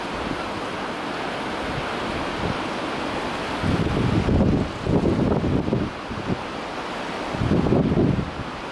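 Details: Only gusting wind and rolling surf on an open shore, swelling in waves of rumble without any bird call.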